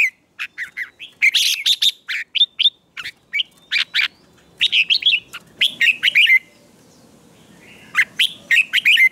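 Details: Morning song of a red-whiskered bulbul, played to train birds for song contests: lively runs of clear, slurred chirps in quick clusters, broken by short pauses, ending in rising whistled notes.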